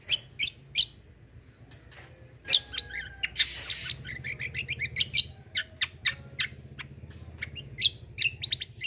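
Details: Kecial kombo in full gacor song, played as a lure for untrained birds: rapid piercing notes in quick series, with a rushing noisy burst midway and a steady low hum beneath.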